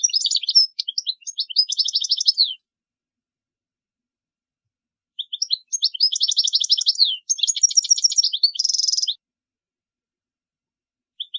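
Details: Used for teaching young birds, a European goldfinch gives two bouts of quick, scattered chirps and twittering separated by a long silence, the second ending in a dense buzzy trill.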